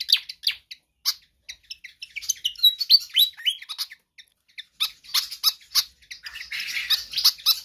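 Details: Singing Pied fantail on a track for training other birds: spaced high chips give way to quick rising squeaky whistles, then rapid clustered ticks and a harsher chattering finish.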